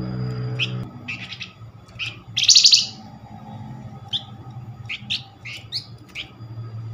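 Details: Flamboyan bird giving a lure call meant to draw answers from other Flamboyan: scattered short high chips and one loud, harsh, buzzing burst near the middle, over a steady low background hum.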